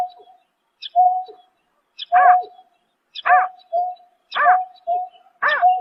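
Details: Greater painted-snipe at night, March 2024, calling about once per second: a flat, steady low whistled tone alternates with a louder arched, buzzy hoot, repeated evenly. No other sounds are heard.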